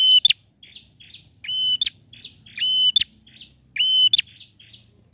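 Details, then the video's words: To prompt silent prinias to sing, a frequently singing male bar-winged prinia repeats four buzzy, even tones, each ending in a sharp rising snap and trailed by quick soft chips, roughly once a second. "PRENJAK JANTAN GACOR"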